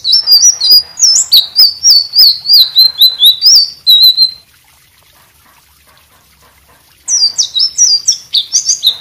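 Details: White-rumped shama singing energetically, used as a tutor recording for other songbirds: fast run of high, clear, sliding whistled notes for four seconds, a three-second silence, then the lively whistling resumes.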